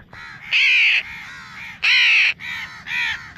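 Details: Baby house crow calling naturally: harsh nasal caws, three loud arched calls about every 1.3 seconds with softer caws between.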